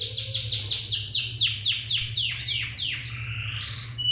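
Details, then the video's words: Canary song: a rapid series of descending whistled sweeps repeated about four times a second, slowing into longer slurred notes and ending on a sustained whistle, over a steady low hum. "Canary birds singing video"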